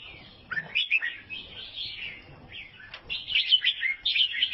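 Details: Sooty-headed bulbul, an albino bird from Vietnam, giving a lively, chattering warble of bright, slurred notes in two bursts, with a short pause between them.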